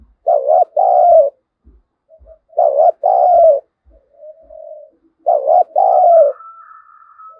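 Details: Lure spotted dove calling to provoke wild birds to fight: three loud double coos, a brief wavering note then a longer falling one, about every two and a half seconds, plus a thin high whistle.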